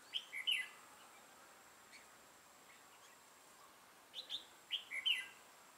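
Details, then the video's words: Red-whiskered bulbul kept as a trapping decoy, lion-style crest, dark bib, recorded 6 November 2018; a quick burst of sharp chirps, a long near-silent gap, then two more brief chirpy phrases. "Bẫy chào mào Mào lân hầu bò yếm đậm"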